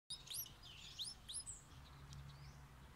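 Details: Streak-eared bulbul parent feeding newborn chicks; high, thin rising chirps in quick clusters, then quieter scattered squeaks, over a low steady hum.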